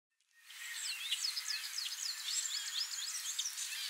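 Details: Le Conte's sparrow at Montrose Point on 4 May 2015, giving a rapid, uneven run of thin, high chips and ticks, several each second, over a steady background hiss.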